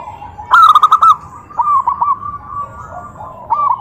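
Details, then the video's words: Zebra dove calling to provoke an answer from other doves: an opening loud burst of quick rolling coos, followed by softer stuttering phrases and a final rising trill. "Suara perkutut Bikin EMOSI perkutut lain naik Suara Langsung Nyaut"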